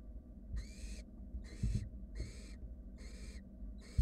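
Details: In a monitored nest box, wild barn owl nestlings beg with rasping hisses while a sibling swallows a rat; five steady broadband screeches in quick succession, with scuffling bumps below.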